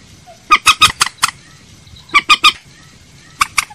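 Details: Common moorhen giving a lure call: harsh, clucking notes in quick bursts, about five, then three, then two, each group separated by a short pause.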